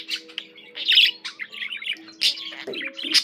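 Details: Chirpy budgie warble: loud bursts of harsh, bright twittering broken by brief pauses and thin whistled notes, with quiet steady tones in the background.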